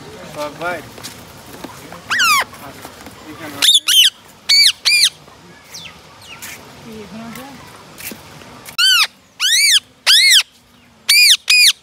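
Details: Rose-ringed parakeet calls over faint background murmur and a few softer bird notes. A run of loud, harsh, arched screeches comes in two clusters, three or four calls each, with a quieter stretch between them.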